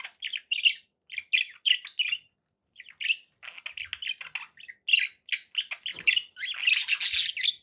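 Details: Steady budgerigar chatter: repeated bright chirping notes in quick runs, rising into a dense, scratchy warbling burst at the end.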